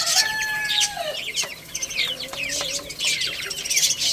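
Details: Young chicks playing and eating, overlapping shrill peeps with a few drawn-out whistled notes, some sliding downward, over a busy background of clicks.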